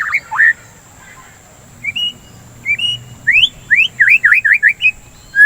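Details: White-rumped shama, kept as a songbird, singing to prompt other shamas: varied whistles, low slurs, then rising sweeps and a run of quick down-up chips, ending on a flat whistle.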